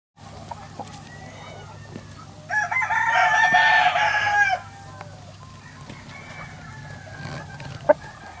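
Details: Rooster on a farm in Hawaii crowing once, a loud drawn-out call of about two seconds, over steady low background noise with faint distant bird calls and clucks.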